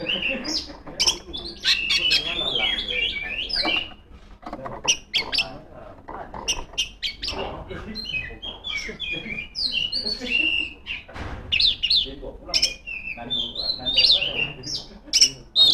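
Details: Extended, vigorous ngeplong song of a female Oriental magpie-robin calling rivals: a dense, varied stream of whistles, trills and sharp clicking chips with almost no pauses.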